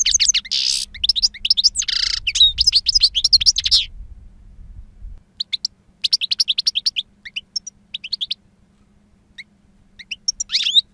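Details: European goldfinch, a two-year-old bird with wild-style song, strong timbre and long calls. A dense run of quick metallic twitters and a harsh buzzy note is followed by a pause, then scattered bright chirp phrases.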